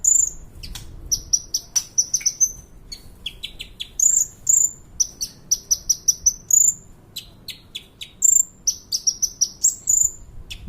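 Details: Kolibri ninja (sunbird) training song: a busy run of high sharp chips mixed with repeated thin whistled phrases, delivered almost without pause for about ten seconds.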